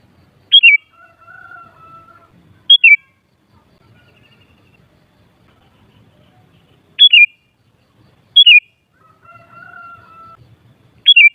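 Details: Kutilang (sooty-headed bulbul) phrases intended to raise other kutilang's excitement and answering song: five brisk descending two-note whistles in irregular bursts, with softer steady lower whistles of another bird in the gaps.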